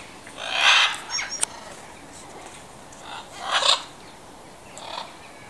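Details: Captive macaw at the Welsh Mountain Zoo gives two loud, harsh, raspy squawks about three seconds apart, with a few shorter rough notes between them and a quiet background.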